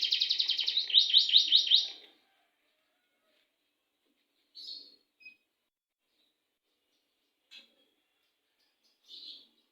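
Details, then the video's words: Canary song with a long roll, heard as a short burst of rapid repeated high chirps lasting about two seconds, then near silence broken by three brief isolated chirps. "BURUNG KENARI NGOCE,NYA NGEROLL . . . .PANJANG"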